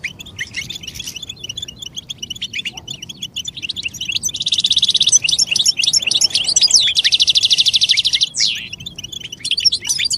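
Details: Goldfinch song played to coax quiet males into singing, described as mating calls: fast tinkling twitters and chirps, broken twice by long harsh buzzing trills in the middle of the recording.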